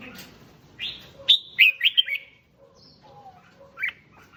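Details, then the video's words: Red-whiskered bulbul song meant to excite other bulbuls, heard as a burst of rapid sharp whistled notes, a quiet gap, then a single bright chirp near the end. "Tiếng Chim Chào Mào Kích Chim Lên Lửa Nhanh"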